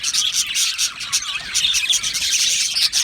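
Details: Budgies in an aviary chirping and singing: short, clear whistled notes ring out over a busy background of high twittering chatter from the colony.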